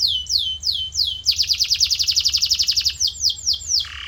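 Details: Canary song used as tutor audio to train a canary's voice: clear descending whistled sweeps repeated about every quarter second, then a fast buzzy trill of rapid notes, ending in more falling sweeps and a short lower note.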